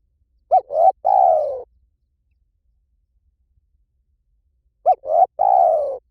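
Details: Spotted dove calling, recorded as a decoy sound for attracting doves in any forest. Two identical phrases about four seconds apart, each a short hooked note, a brief coo and a drawn-out, gently descending, rough-textured coo, with silence between.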